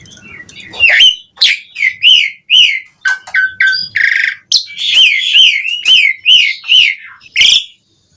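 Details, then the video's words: Asian pied starling singing vigorously as a lure for other starlings: strongly repeated downslurred whistles roughly every half second, with a harsh buzzy note mid-phrase and a short low rumble at the start. "Suara Kicau Jalak Suren Gacor Terapi Pancingan Burung Jalak Agar cepat Gacor"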